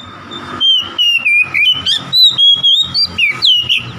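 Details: Rival-baiting song from an oriental magpie-robin: dense series of loud whistled notes, mostly level with some rising and falling twists, about four a second for three and a half seconds, against a steady low drone.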